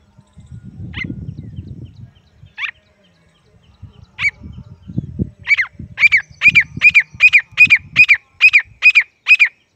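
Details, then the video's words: Young pheasant chick giving high, piercing chirps, first spaced singly, then quickening into a steady, rapid run of about three notes per second, over low rumbling and handling noise. "Sweet voice of baby pheasant || teetar ke bache ki pyari aavaz"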